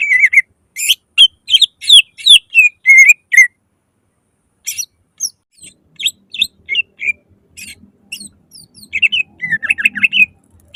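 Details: Greater green leafbird in fast, loud lure song for prompting other leafbirds to sing; quick whistled chips and slurs, a short silence, then softer twittering with faint low rustling at the end.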